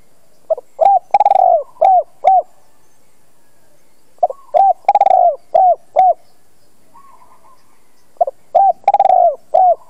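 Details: Spotted dove used as a lure to call wild doves, repeating its cooing phrase three times about four seconds apart: mellow low coos, a fast stuttered roll, then paired coos.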